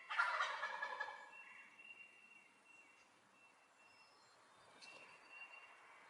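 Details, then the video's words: Turkey gobbling, a short dense rattling burst in the first second, then fading to quiet background with a faint steady tone. "Suara Ayam Kalkun Lucu"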